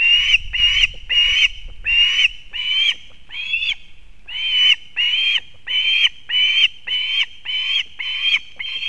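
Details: Female osprey (Pandion haliaetus) bringing fish to her chick at a nest in Kurzeme, Latvia, 31 August 2024, on a live nest camera: loud, harsh, slightly rising piping notes, about fifteen in a steady series, with faint low rumble early.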